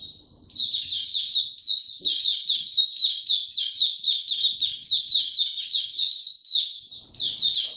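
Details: White-eye, a male whose song is maturing, recorded 9 February 2022: continuous high, rapid warbling of short chirpy notes that rise and fall, pouring out for almost the whole stretch with hardly a pause.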